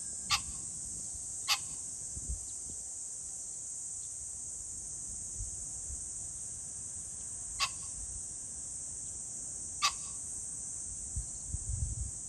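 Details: Pheasant on a July 2024 day, with four abrupt, harsh bursts: two close together early, then two more several seconds apart. A steady high insect drone fills the background.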